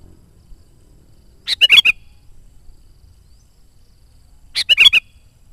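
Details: Sooty-headed bulbul song meant to lure wild bulbuls and stir caged and decoy birds into singing: two identical quick phrases of bubbly, chortling notes, about three seconds apart, with silence between.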